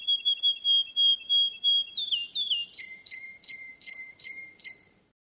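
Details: Russian canary at the Russian championship: a quick wavering whistled trill, then gliding slurs, then a repeated two-part note with a sharp upper click and lower tail about every 0.4 seconds, fading out.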